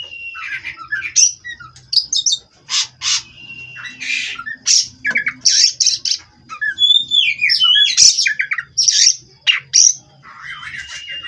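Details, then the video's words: Caged Oriental magpie-robin, a kacer, singing a varied run of harsh squawks mixed with whistled notes and rising and falling chirps, delivered in quick irregular bursts over a faint low hum. "Terapi Burung Kacer Agar Stabil di Pedok"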